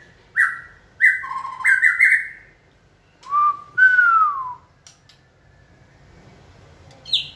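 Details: White-rumped shama being prompted to sing during training; clear whistled notes at mixed pitches, then a gliding downward whistle, with a brief high note at the end.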